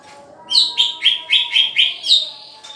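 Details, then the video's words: Green leafbird, cucak ijo, kept for pairing: seven loud, clear whistled phrases, each a short downward-slurred note, repeated about every quarter second over a faint steady hum. "Cara Menjodohkan cucak ijo"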